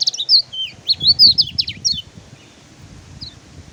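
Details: Tutor song of the kecial kuning, or Oriental white-eye, meant to coax silent caged birds back into voice: a loud burst of quick, high, sliding chirps for two seconds, then near silence with soft low background rumble.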